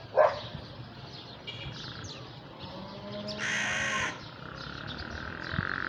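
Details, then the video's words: Crow at sunset giving a single rough, hoarse caw lasting under a second, with faint chirps and low rumble around it. "The sound of the crow at sunset"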